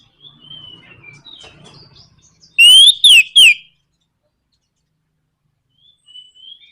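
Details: Orange-headed thrush, 'nraktak konslet' provoking song: soft faint twitters and low murmurs, then three loud, abrupt whistles in quick succession, the first rising and the next two sliding downward, before quiet notes resume.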